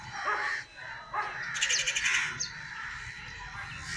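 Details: Crow with a few harsh caws, joined by high rattling chirps from other birds that overlap the calls midway through.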